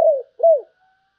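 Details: Spotted dove in sấm bầu song style giving two low, falling coos separated by a short gap, then quiet.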